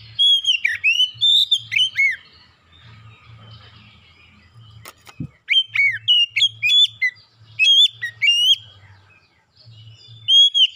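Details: Oriental magpie-robin lure song to get birds singing: repeated bursts of bright whistles and swooping notes over about ten seconds, a sharp click midway, low hum throughout.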